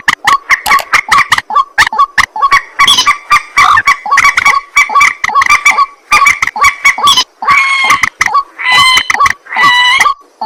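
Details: White-breasted waterhen calling at night: a dense, fast run of harsh, nasal croaking notes, repeated over and over with ringing overtones. Near the end some longer, drawn-out tonal notes appear.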